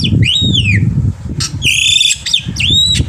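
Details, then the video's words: Black-winged myna singing energetically in the morning, recorded as a tutor for young mynas: sweeping whistled downslurs, then harsh broadband rasps and a twisting whistle, over steady low rumbling background noise. "jalak putih gacor pagi hari untuk masteran burung jalak muda - paud dan anakan agar cepat bunyi"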